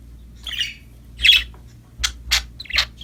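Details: Happy budgerigars chirping while playing: five separate scratchy chirps and squawks, spaced about half a second apart, the loudest near the middle, with a low constant hum underneath.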